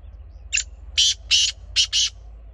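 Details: Black francolin calling: a harsh, grating sequence of five loud scratchy notes, one short note then two pairs, spread over about one and a half seconds, over steady low rumbling background noise.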